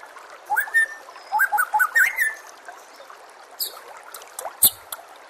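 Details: White-rumped shama song for training captive birds, with trickling water throughout. A few short phrases of whistled notes rising and stepping upward, then quieter scattered ticks and chips.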